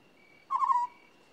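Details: African scops owl giving a single short, low purring note, trilled and slightly falling, about a third of a second long, over a faint steady high-pitched whine in the background.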